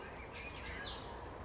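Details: Blue-black grassquit song phrase: one short, piercing, very high note dropping rapidly in pitch, heard once after a quiet moment, with low background hiss.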